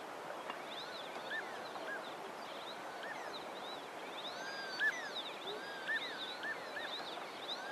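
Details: A group of Cape teals swimming on a large pan in late winter give soft, thin arching whistles, several birds overlapping at about one a second, over a steady background hiss.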